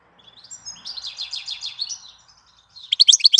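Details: European goldfinch in April giving a rolling, slightly buzzy warbled trill that rises and falls, followed by a quick series of bright, sharp chirps.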